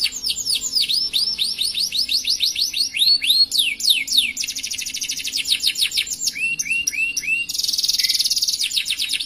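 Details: Long canary song made of changing tours, with rapid rising whistled notes, dense buzzy rolls, a run of slower falling notes and a final fast trill, all high and continuous.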